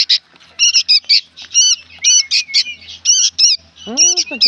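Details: Young sooty-headed bulbuls make a racket of scratchy, wavering squawks, roughly one a second, in uneven bursts. A lower, drawn-out call breaks in near the end.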